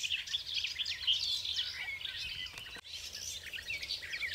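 A garden warbler pours out a fast, sustained, mellow warble of rich chattering notes with almost no pause, over faint background hiss.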